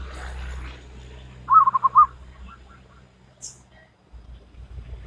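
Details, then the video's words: Local wild zebra dove singing salendro style: a single crisp phrase of quick, bubbling coo pulses rises out of a low background rumble, trailed by a few faint coos and a brief high click. "Perkutut Lokal Alam Manggung Gayer Irama Salendro"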